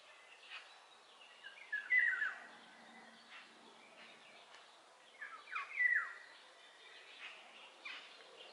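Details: Eurasian golden oriole song, two mellow whistled phrases repeated roughly every four seconds, each a short dipping fluty motif, with faint chirps from other birds.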